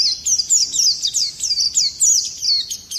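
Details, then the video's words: Rapid series of high, downward-sliding whistled notes from an Oriental white-eye, run together in a steady roll, a song used to excite other birds into singing. "Pleci gacor ngerol nembak kasar cocok mancing emosi"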